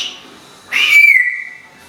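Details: Female Timneh African grey parrot kept as a pet whistles one clear, slightly rising then falling high note lasting about a second, with little background noise.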